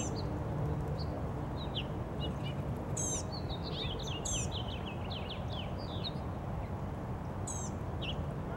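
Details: Blue-gray gnatcatcher in Savannah, Georgia, 1 April 2022, giving a jumbled run of thin, high, slurred notes over several seconds, against constant low-frequency rumble and occasional sharp high chips.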